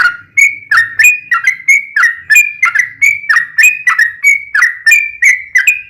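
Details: Trucukan, the yellow-vented bulbul, in rolling ropel panjang song used to draw replies from captive birds; steady run of liquid whistled notes with quick downslurs, faint low hum beneath.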